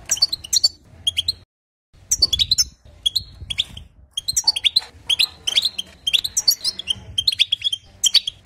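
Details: European goldfinch song to excite other goldfinches: energetic, tumbling twitters and buzzy chirps in rapid bursts, a brief silence near the start, then continuous lively phrases.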